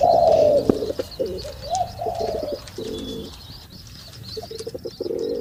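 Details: Male pigeons during mating, a loud drawn coo opening into a jumble of overlapping low murmuring coos from several birds, fading midway and returning as short pulsed coos near the end.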